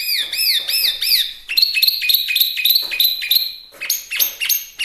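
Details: Chinese hwamei, a small-sized bird, in full lively song, suited for tutoring birds and luring: loud arched whistles repeated rapidly, then a run of sharp rising and falling notes in quick succession.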